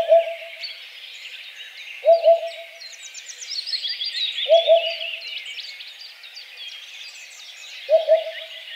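A Eurasian Hoopoe gives soft, low, hollow double hoots, 'oop-oop', every two to three seconds, over a busy chorus of high twittering songbirds.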